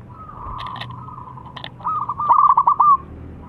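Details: Local zebra dove calling while a rival replies: a faint distant coo phrase first, then a loud near phrase of rapid rhythmic pulsed notes ending on a held tone.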